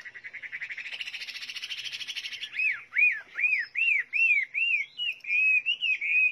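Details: Chinese hwamei singing: a fast, dense buzzy trill builds for over two seconds, then gives way to loud, clear, slurred whistled notes. Each note arches up and down and repeats about every half second. The background is quiet.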